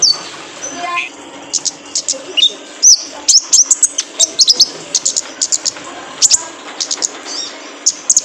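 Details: Male kolibri ninja sunbird, a cage-bird training recording: sharp, high-pitched ticking notes come in quick runs, with short clusters of rapid chips between pauses and a soft murmur underneath.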